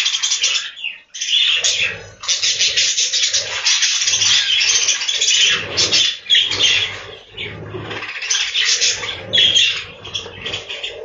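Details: A breeding room full of captive budgerigars gives steady chattering: grating warbles, squeaks and chirps overlapping without break, briefly dipping near one second and again near seven seconds.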